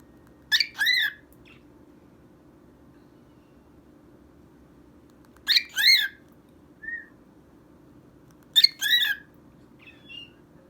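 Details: A male cockatiel sings to his toy mouse, giving three bursts of raspy, doubled chirps a few seconds apart, with a brief soft whistle in between, over a steady low hum.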